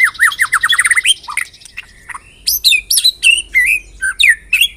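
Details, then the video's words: White-rumped shama singing on a lure recording meant to stir shamas into song: a fast series of rising whistles, then loud varied phrases mixing sweet slurred notes, harsh squawk-like notes and short downward whistles. "LANGSUNG CEPAT NYAMBER TAK TAHAN DIAM MURAI MENDENGAR PANCINGAN INI"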